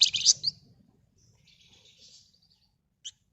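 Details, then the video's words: Red-whiskered bulbul song, a loud bright chattering burst, then faint buzzy trills and one short closing note. "Burung Flamboyan Gacor Ngebren Rapat Nyerecet"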